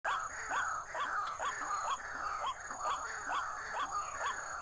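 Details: White-breasted waterhen (ruak-ruak, buburak) lured toward a bird trap: short rising notes repeated about twice a second over a steady high hiss and a broad rushing background.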